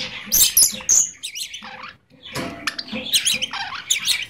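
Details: Pet Goldie's lorikeet talking, the phrase "give me a kiss": shrill buzzy chatter with wavering, swooping tones and quick squeaks, a brief pause near the middle before more warbled, speech-like phrases.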